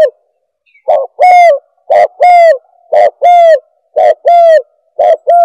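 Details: Spotted dove lure call for attracting doves: steady pairs of low hooting notes, a brief coo then a longer arched one, repeated about once per second with even rhythm, no other sounds.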